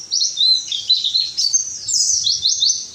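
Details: Dense, very high white-eye twittering from a recording meant to make lazy captive birds sing: fast chattering notes with downward sweeps run without a break through the clip.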